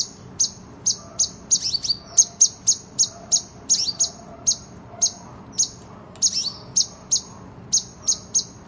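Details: Van Hasselt's sunbird singing actively in competition form as a master recording: a regular string of piercing high notes, about two to three a second, with occasional fuller twittered notes slipped in.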